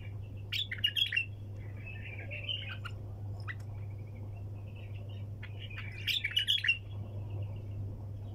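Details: A bulbul sings nonstop in the wing-clap, hunter style, with two loud bursts of clicky, rasping chirps separated by quieter warbled notes. A low hum persists throughout.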